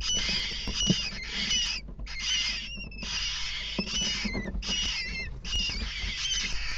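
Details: Nestling Western jackdaws beg while their parents feed them at a nest box in the evening of 3 May 2017; harsh wheezing bursts about a second long with short gaps, some rising squeaky tones, plus scraping and knocking.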